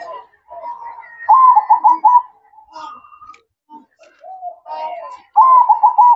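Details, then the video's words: Zebra dove (perkutut) singing at night, repeating bubbly, rapidly pulsed coo phrases, each loud burst followed by softer cooing notes and brief gaps. "Suara Merdu Perkutut Manggung Di Malam Hari"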